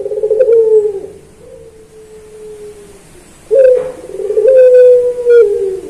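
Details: Kept puter pelung dove in a master recording for training other birds: a sustained, low, slowly falling coo, then a quiet gap before a strong accented onset and another long, even coo.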